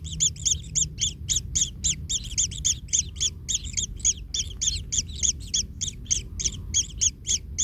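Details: Kingfisher chick in its nest, trampled by a parent and in pain, giving rapid harsh double-noted calls, about three to four a second, in a steady unbroken series over a low background rumble.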